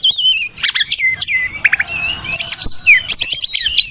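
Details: Tutor song of an Oriental magpie-robin, meant to lure caged birds into singing: high trilled whistles, then rich falling and rising slurred phrases, with a short quieter pause around the middle.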